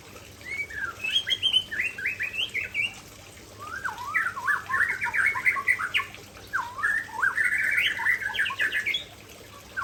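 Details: White-rumped shama of the Aceh type pouring out signature fill phrases in three long bursts of rapid, jumbled whistles and chattering notes, with short pauses between bursts.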